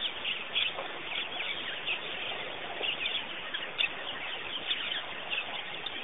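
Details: Birds at Pete's Pond in Botswana, Africa, giving a dense, continuous chatter of high chirps and short tweets, with brief louder notes near the start and just before four seconds.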